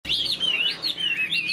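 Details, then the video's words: Caged Chinese hwamei with a spread tail, singing and mimicking laughingthrush notes: continuous loud warbled phrases of sliding, looping whistles that rise and fall without a break. "Họa mi đuôi xòe chơi cánh, bóng bộ cực đẹp, hót vẩy đuôi khướu"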